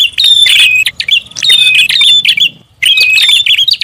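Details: Prinia lure call, busy style: dense, shrill chirping in three bursts separated by short pauses, with a low rumbling hum underneath.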